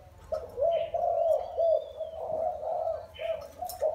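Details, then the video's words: Four years in a cage, this wild-caught spotted dove utters a quick series of soft, mellow coo notes in a low pitch. Faint chirps and a thin drawn-out whistle are audible in the background. "Gáy bổi 4 năm lồng"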